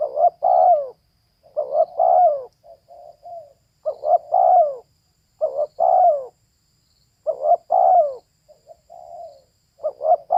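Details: Female spotted dove calling with soft cooing phrases: a few quick low notes leading into a longer drawn-out coo, repeated every couple of seconds with short quiet gaps and clean background.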